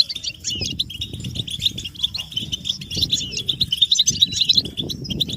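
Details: European goldfinch chorus for prompting silent caged males to sing; busy, sparkling chirps and short trills overlap throughout, with pulsing low background noise beneath.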